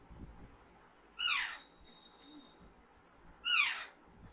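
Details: Two strident, hoarse shrieks about two seconds apart from a young caged Alexandrine parakeet, heard over faint room noise during a talking-training session.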